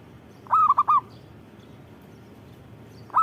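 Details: Perkutut, a local zebra dove, giving one clear phrase of four short bouncing coos, then a pause before the next phrase begins at the very end; faint low background noise.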